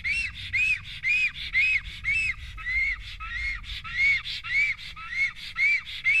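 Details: Black storks at an Estonian nest, during a visit by an unfamiliar stork. Harsh whistled squawks repeat roughly twice per second, each note an arch that climbs and drops, over a low background rumble.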